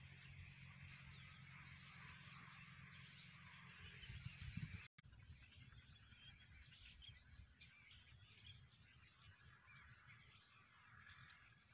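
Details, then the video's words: Flock of migrating common starlings, called Russian starlings or tilyar, in Pakistan; dense overlapping chattering and whistled chirps over a steady low rumble of background noise, with a brief break midway. "Russian Starlings in Pakistan"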